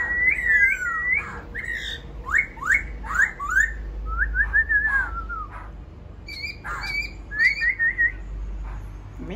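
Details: Laughingthrush song of quick, sharply slurred whistles, several falling notes in a row, then a wavering trill and a short run of repeated high whistles, over a low background hum.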